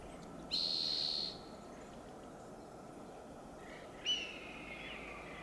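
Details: A red-tailed hawk on a high perch in Del Monte Forest, California, after eating a fox squirrel, gives one loud, hoarse, high scream lasting almost a second, then a shorter, fainter descending cry, over steady wind-like hiss.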